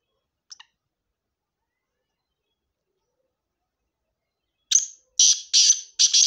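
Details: Black francolin calling in Sindh, Pakistan: after a faint brief note and a long quiet gap, four loud, grating, rasping notes follow in rapid succession.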